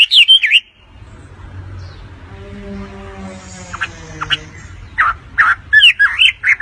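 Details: Grey-cheeked bulbul held in the hand, singing as a tutor for other songbirds: bright whistled, wavering notes at the start, a quiet stretch with low hum, then a burst of short sharp notes and looping whistles.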